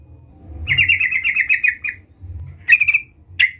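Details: Sooty-headed bulbul (trucukan) in lively voice, calling a rival: one long rattling run of quick chirps, then two short sharp bursts, over a faint low rumble.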